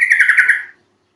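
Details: Yellow-vented bulbul call played to prompt birds to sing: one short, rapid chattering phrase of pulsed notes that quickly fades away.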